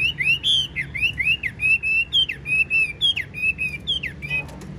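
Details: Spread-tailed Chinese hwamei, a caged bird called 95% tame, singing crisp, loud whistles, some held and some rising, repeated about once a second with brief pauses.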